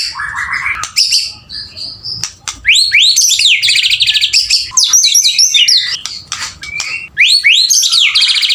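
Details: Male White-rumped shama in loud, continuous song: rapid rising whistles, dense trilled bursts and sharp upslurred notes that tumble one after another, with brief sharp clicks between phrases.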